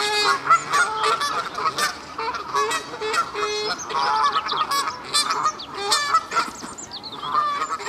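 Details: Several Canada geese calling in the castle park at Herten, a dense run of brassy, nasal honks in quick succession, some rising at the end, with short lower grunting notes between them.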